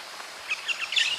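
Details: White-eared parakeet, also called maroon-faced parakeet, Pyrrhura leucotis, feeding and kissing; a short burst of high, thin chirps that grow louder and denser toward the end over faint background noise.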